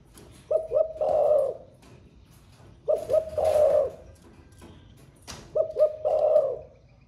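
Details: A spotted dove kept in a cage gives three low cooing phrases in the thổ pha voice. Each phrase has two quick hoots, then a drawn-out rolling coo, repeated roughly every 2.5 seconds. Faint clicks sound in the background.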